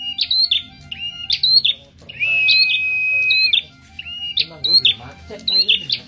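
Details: Captive Red-headed prinia singing energetically after three months of care: sharp chirps and bright notes sliding between high pitches, with one long, steady, pure whistle in the middle. Faint voices sound underneath.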